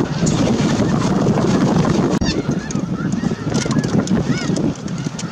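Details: Flock of snow geese at Merced National Wildlife Refuge in January; dense honking chorus with distinct upslurred nasal yelps standing out, rapid and irregular, over constant wind noise.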